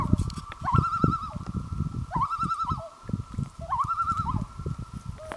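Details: A loon calling on Gavia Lake, 2011: three similar phrases, each sweeping upward then holding a fast, level quaver before dropping off, spaced about one and a half seconds apart, with low rumbling noise underneath.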